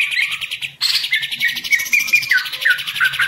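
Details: Caged green leafbird kept as a songbird, shown in connection with somersaulting restlessness: rapid buzzy, pulsed chattering song with bright whistled notes dropping in pitch, brief break early, over a steady low hum.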